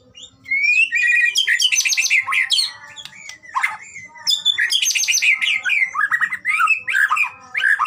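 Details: White-rumped shama song on a training recording meant to make a shama sing readily: rich varied phrases of loud whistles, rapid harsh rattling bursts and slurred notes, delivered in dense bouts with short pauses.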